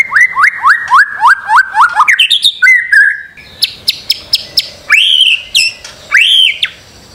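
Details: Master song of a white-rumped shama for training birds to sing: fast series of rising whistled notes climbing in pitch, followed by scattered sharp clicks and loud upswept whistles.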